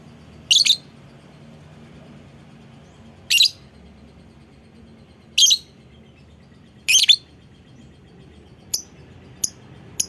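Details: Lovebird call used as bait to prompt other lovebirds to answer and sing: four harsh, high shrill notes spaced a few seconds apart, then three short sharp ticks near the end, over a quiet low hum.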